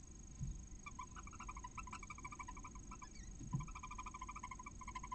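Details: Female barn owl calling to a hatching chick inside her nest near a visitor centre in Cabañeros National Park, Castilla-La Mancha, Spain. Repeated bursts of rapid, ringing chirps, with a couple of dull thumps.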